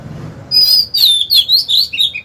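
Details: Singing decoy Oriental magpie-robin luring rivals to combat: a continuous rich warble of high sliding whistles, notes pulsing in quick succession with sharp rises and falls.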